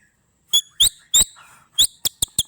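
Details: White-rumped shama (murai batu) singing in the bius pompa style: loud, sharp rising notes with ringing overtones, delivered in short bursts with brief pauses, ending in quick clipped chips.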